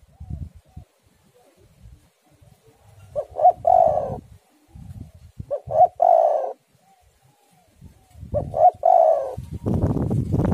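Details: Spotted dove song for luring doves into singing: three phrases of clipped introductory notes and a sustained mellow coo, spaced about two and a half seconds apart, ending with a loud burst of rushing noise.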